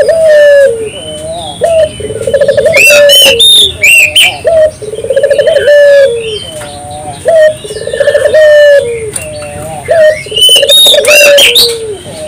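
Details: Spotted dove singing busily, used to set off local doves; repeated low stuttering coo phrases ending in drawn, falling notes, interrupted by bursts of high, fast chirps and trills from other birds.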